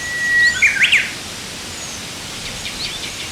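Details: Rosy pipit, a vagrant seen in spring on Oeyeondo island, Korea: one loud, sharp call made of quick up-and-down notes, led in by a thin steady whistle. Faint high chirps from other birds follow over a soft hiss.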